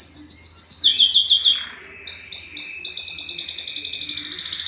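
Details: Yellow canary song: a fast descending run of trilled notes, a short pause, then a new series of rising, rolling trills repeated several times a second.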